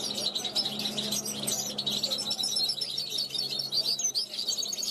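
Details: European goldfinch born in 2021 rehearsing on a balcony, calling to passing wild goldfinches. A continuous, busy warble of high chirps and twitters runs throughout, with a soft low hum beneath.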